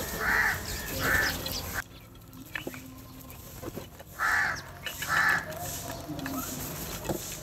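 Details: Crows eating and feeding together, fighting over food and calling for food: four loud, harsh, nasal caws, two in quick succession at the start and two more after a quiet gap, over a low rumbling background.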